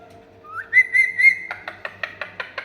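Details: Talking Indian ringneck parakeet kept as a pet whistles a rising note, then three steady warbling tones, followed by a quick run of short repeated chirpy notes in a quiet room.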